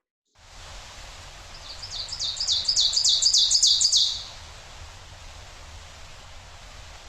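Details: Ovenbird song in forest: a loud, ringing series of two-note "teacher, teacher" phrases, about three per second, building in strength over two seconds, over steady background hiss.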